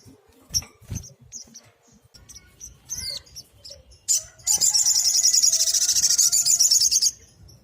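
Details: Sunbird, locally sogok ontong, in full tembakan song for training small birds: scattered thin high notes and soft thuds, then a loud, sustained, very high rapid trill pulsing steadily for nearly three seconds.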